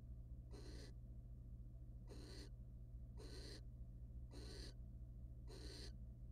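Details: A wild barn owl pair in a nest box, the male mating then preening the female; five breathy screech-like hisses, spaced about one to one and a half seconds apart, above a steady low hum.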